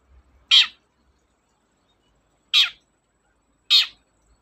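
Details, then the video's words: Long-tailed shrike singing, recorded as a lure to stir reluctant shrikes into song: three short harsh rasping notes, the first two about two seconds apart and the third a second later, over an otherwise quiet background. "BURUNG CENDET GACOR, PANCINGAN KHUSUS CENDET MALES BUNYI"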